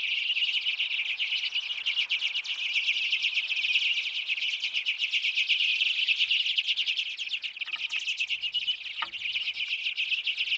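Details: A flock of Common and Hoary Redpolls crowding winter feeders in a residential backyard in Manitouwadge, northern Ontario, on March 6, keeps up a dense, continuous chatter of high, dry twittering notes, many birds calling over one another.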